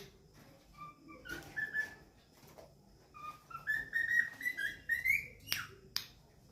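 A cockatiel sings a run of clear whistled notes that climb in pitch, with a few sharp chirps.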